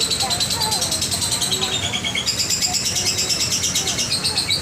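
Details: Lovebird long chatter (ngekek panjang), played to lure quiet lovebirds into chattering: a continuous high, rapid trilling stream of pulses, unbroken for the whole stretch, steady and loud.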